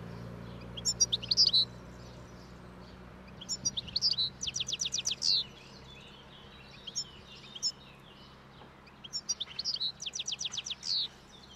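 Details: Roadside wild European goldfinch eating thistle seeds, singing its breeding song as spring approaches: repeated bouts of rapid, buzzy trills mixed with bright chirps, each lasting about a second, separated by short pauses.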